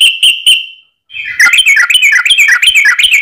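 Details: Long fighting song of a yellow-vented bulbul, a lure for provoking others: three sharp whistled notes and a pause, then a tangle of dense, overlapping bubbly chatter.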